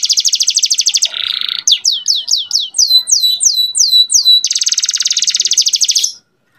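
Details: Canary song with a full repertoire, played to stir females into breeding condition: a rapid high trill, a brief lower rattling roll, a string of falling whistled notes, then another fast pulsed trill before silence.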